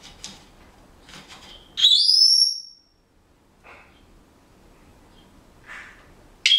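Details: Pet Senegal parrot at home, whistling bars of a song it is learning: one loud, clear whistle rising steadily over about a second, with soft scratchy sounds before and a short sharp note at the end.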